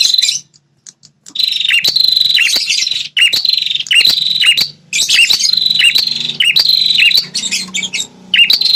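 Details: Prinia, prenjak kepala merah, call used as a lure to provoke wild territorial males into responding aggressively; loud rapid buzzy chattering bursts near one steady high pitch, repeated in runs of about one to two seconds with short gaps.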